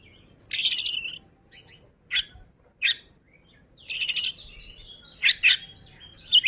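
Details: Kacer, the oriental magpie-robin, in ngobra posture with gacor ngeplay singing: two long harsh buzzy bursts separated by brief sharp chips and notes, ending in quick paired chirps and a thin whistle.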